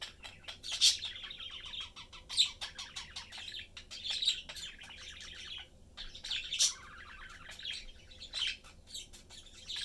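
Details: Pet parakeet family of father, mother and young bird chatting as they eat; long rippling warbled phrases with occasional shrill peaks, faint indoor hum throughout.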